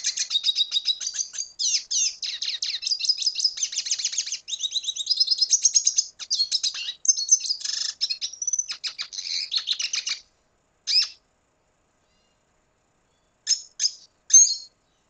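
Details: Venezuelan red siskin singing a long, rapid twittering song of high, bright notes for about ten seconds, then falling silent apart from a few isolated chirps at the end.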